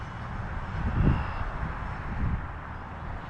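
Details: Low droning engine noise, like a passing aircraft, with a steady rumble that swells around the first second; no animal calls stand out.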